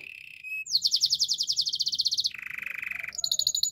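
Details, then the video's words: Canary song for training, sung by a Yorkshire canary: a short whistle, a fast pulsing high trill, a lower rolling trill, then a shrill rapid trill at the end. "Yorkshire canary singing! The best canary training song"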